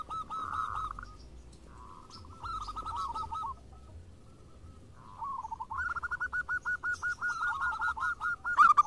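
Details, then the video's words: Several local zebra doves sing back and forth in lively exchange. Separate phrases of quick, rolling coos are spaced by pauses, building into a long, dense, evenly pulsed series at the end. "PERKUTUT JADI RAMAI SALING SAHUT !! (Perkutut lokal gacor)"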